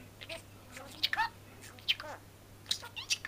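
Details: Talking budgerigar chattering to its female mate: soft scattered squeaks and short warbled syllables with gaps between them, over a low steady hum.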